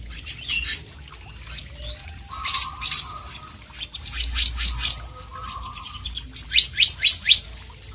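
Blue whistling thrush giving bursts of sharp, high chirps and quick falling squeaky notes, with two brief steady lower whistles and a fast run of four squeals at the end.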